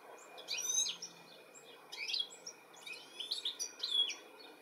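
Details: European goldfinch calling for its young in the UK, July 2017; high, liquid twittering phrases with slurred chirps, three short bursts within a few seconds, a faint hum underneath.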